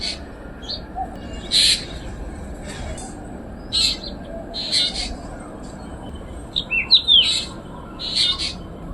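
Black drongo giving harsh, scratchy high-pitched notes in short bursts every second or so, ending with a few sharp whistled squeaks, over a steady low background hum.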